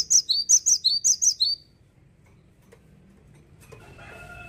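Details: Singing cinereous tit, no longer common in Indonesian gardens: one swift, even string of about eight loud, high-pitched twin-toned notes, then near silence with faint distant whistles at the end.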